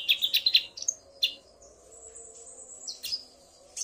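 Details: Male Common iora answering a female's call: a few quick high chirps, then a long thin high whistle, followed by scattered sharp notes.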